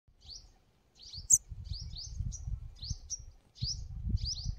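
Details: Sunbird in forest, among the smallest forest birds, giving short high chirps in rapid bursts, each a quick rising twitter, repeated roughly every half second, over low rumbling handling noise.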